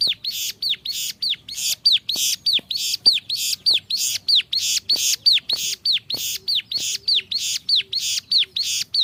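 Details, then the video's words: Bar-winged prinia (ciblek sawah) in gacor song: hooked, arching whistles, each joined to a harsh buzzy burst, repeated steadily about twice per second. "5 VARIASI SUARA CIBLEK SAWAH GACOR"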